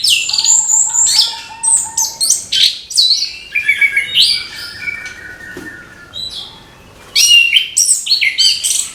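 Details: Orange-headed thrush in full morning song for encouraging young birds: fast, varied high chirps and twitters over a steady lower whistle, a short lull, then another lively outburst.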